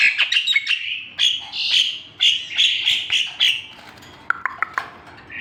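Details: Javan pied starling giving a series of harsh, slurred whistled notes repeated roughly twice a second, followed by a few sharp clicks and a short squeak.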